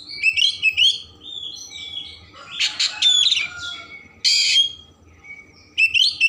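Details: Singing Oriental magpie-robin with lavish filler song used to provoke emotion and tail opening: clear whistled phrases, dense chattering with thin glides, a loud harsh buzz, then a soft whistle and renewed rapid notes.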